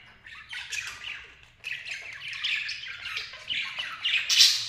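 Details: Lovebird pair giving continuous rapid chatter of raspy squawks and chirps, busy and overlapping, rising to a louder shrill burst near the end over a faint low hum.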